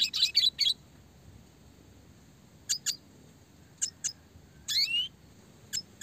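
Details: Classic red siskin chirping in a clear, fast, tightly packed style used for songbird training: a quick cluster of high notes, then spaced single sharp chirps and a twittered burst with a rising buzzy slur, in quiet surroundings.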